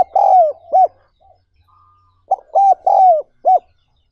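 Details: Spotted dove call, recorded for training decoy birds to lure wild doves: low mellow coos, a long descending note followed by short hooked notes in two bursts separated by a pause, clean background.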